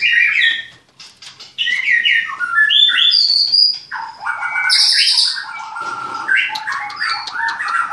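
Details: White-rumped shama at a Klaten breeding place: a varied medley of short chirps, slurred whistles and high piercing notes, shifting pitch from phrase to phrase.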